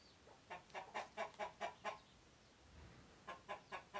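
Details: Scared chickens giving alarm calls that alert others to possible danger from an intruder: a quick run of seven sharp clucks, a short pause, then four more clucks.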